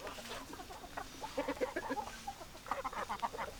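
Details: Chickens clucking, with short, low, harmonic clucks in clustered bursts through the middle and again near the end, several birds overlapping against a steady background hiss.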